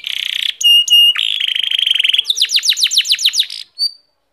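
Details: Canary singing: a loud, clean sequence of fast trills, first a buzzy steady roll, two ringing held notes, then a rapid even trill and a series of about ten descending whistled sweeps, ending in one short chirp; no background noise.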